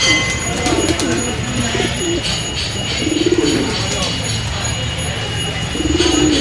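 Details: Pigeons at morning feeding, Bangladesh: low murmuring coos rising and falling, a few separate phrases over steady background hiss and faint talk.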